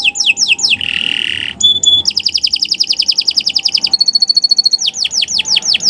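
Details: Canary singing in the morning, recorded as a tutor song: descending sweeps, a buzzy rasp, a pure whistled note, fast rolling trills, then clear repeated whistles and renewed down-slurred notes.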